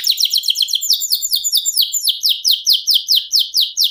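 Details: Canary singing rapid, evenly repeated descending chirping notes, several per second, forming a steady rolling 'ngerol' phrase with no other sounds.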